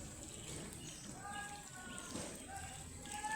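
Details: A brood of baby ducklings playing, waddling and exploring. Several thin, steady whistled peeps overlap and repeat, some level and some gently rising, over a background of trickling water and low murmur.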